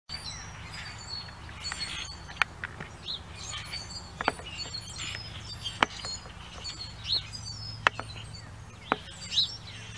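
Common grackle giving sharp, harsh chack notes every second or two, over a bed of high chirping from other birds and a steady low hum.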